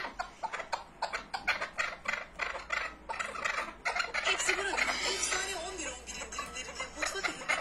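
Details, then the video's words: Chukar partridge giving fast, harsh clucking notes in dense, uneven bursts, several per second, building into a continuous chattering run after about four seconds. "keklik sesi"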